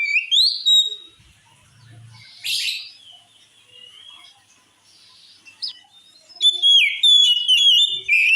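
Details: Kacer, the oriental magpie-robin, singing a song said to make other magpie-robins furious: sharp rising whistles, a scratchy burst and soft warbling, ending in a loud fast run of varied twittering, sliding notes; a brief low hum underneath.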